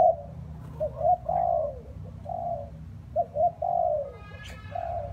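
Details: In wind and rain, a spotted dove gives its phrase: two quick soft coos, then a longer coo that slides down. The phrase repeats after a pause. A brief high chirp and a steady low rumble are also heard.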